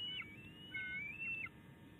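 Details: Complaining bald eagle eaglet on an Illinois nest, May 2019, after a squabble with its mother: a short run of three high, thin whistled notes, some falling at the end, over constant low rumble.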